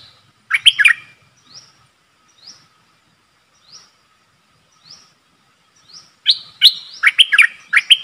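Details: Streak-eared bulbul calls from a decoy bird luring a wild flock: two bursts of loud, chattering, husky chirps. A faint thin rising note repeats about once a second between them, and there is a low steady hum.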